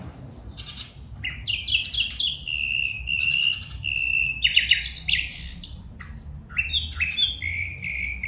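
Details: Female bulbul giving a lively sequence of chattering bursts mixed with long, clear, level whistles, the phrases repeating several times with varied, stepped notes over a quiet background.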